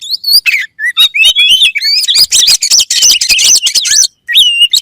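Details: Kacer or oriental magpie-robin sings loud, quickly changing whistles and chirps that build into a continuous high twittering chatter. A clear looping whistle closes the phrase.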